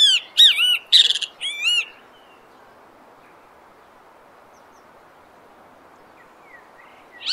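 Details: In Brazilian nature, a great kiskadee gives about four loud, strident notes mixing rasping bursts and clear arched whistles within two seconds, then falls silent until a faint new note at the end.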